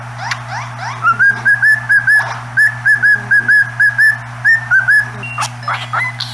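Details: Pet cockatiel singing in front of a cat, delivering a run of about sixteen short, clear whistled notes at a similar pitch, each slightly rising, in an uneven rhythm, with a steady low hum beneath.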